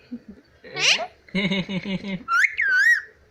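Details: Pet Indian ringneck parrot that laughs, whistles and copies speech: a squeaky rising squawk, a stuttered laugh-like series of nasal notes, then a clear wavering whistle that rises and dips.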